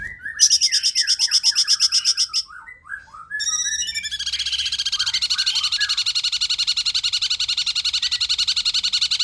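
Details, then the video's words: Energetic cungkok song meant for tutoring magpie-robins, shrikes and leafbirds: a rapid chattering series, descending slurred notes, then a long, dense trill of bright chips steadily repeated. "cungkok gacor suara jernih speed rapat"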